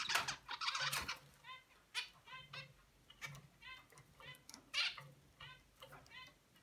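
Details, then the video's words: Baby zebra finch practising to sing like its father: short nasal, harmonic notes repeated in loose runs, broken by sharp clicks and brief buzzy bursts, the pattern uneven and unsteady throughout. "Zebra finch baby trying to sing."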